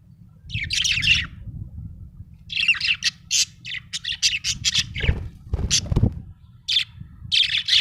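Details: Happy budgerigar chirping: bursts of scratchy, buzzy chatter and sharp squawky notes in quick irregular runs, with a low background hum throughout.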